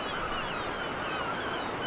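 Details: Many gulls at Saltwick Bay on the coast give a dense, overlapping chorus of harsh, nasal cries on an evening walk while a man talks over them.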